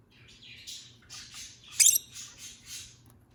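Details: A pet rosy-faced lovebird (Agapornis roseicollis), one of a newly acquired pair, gives a run of scratchy, high chirps and squeaks with one sharper, louder squawk in the middle, over a faint low hum.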